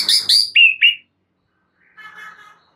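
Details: Murai batu, the white-rumped shama, singing for a master training recording: four quick, loud whistled notes stepping down in pitch, a second of silence, then a soft, scratchy chatter.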